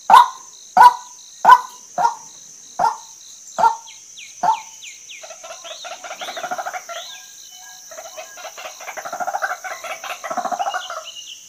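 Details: Female white-breasted waterhen: seven harsh, nasal notes repeated steadily and gradually fading, followed by a softer, rapid stuttering chatter against a constant high-pitched background tone.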